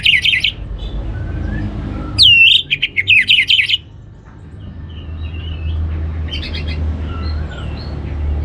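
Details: Orange-headed thrush song meant to stimulate other birds. A brief whistled phrase is followed by a loud run of rapid, warbling, slurred notes, then softer high twitters later, with a constant low rumble.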